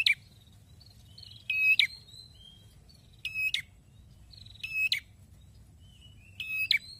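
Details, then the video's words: A red-headed prinia sings brisk, buzzy, clicking bursts about every one and a half seconds, linked by thin high whistled notes over a low background hum. "PRENJAK KEPALA MERAH BAGUS,GACORNYA BIKIN KETAGIHAN"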